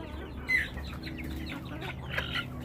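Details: Chickens in a flock give a run of brief high peeps, each sliding down in pitch, with one louder chirp early on, over a low background rumble.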